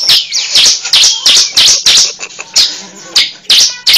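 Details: Cible bird call recorded for use as a lure: loud, sharp, high chirps in quick bursts, about three per second, with downward and upward sweeping notes and short gaps.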